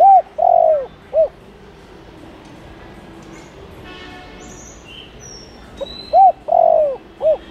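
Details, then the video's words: Spotted dove, recorded to lure wild doves, gives low hooting phrases at the start and end, each with arched short notes around a long downward coo; a brief mechanical rattle and faint whistles fill the quiet middle. "Cu gáy Gáy Gọi kích bổi nhanh nổi/kích cu gáy nghe là đập cánh thả diều bay tới/kích là bổi gáy liền"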